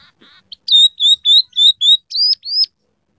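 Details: Scaly-breasted munia singing with borrowed canary and red siskin notes: soft chatter, then a series of five loud clear whistled notes at a steady pace, ending in two higher sliding whistles.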